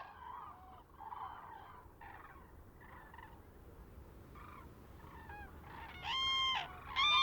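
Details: A flock of migrating common cranes calls at the Villafáfila lagoon in Spain, a stopover of several weeks. Overlapping rolling trumpets and loud bugling notes rise near the end; the cranes call to stay together.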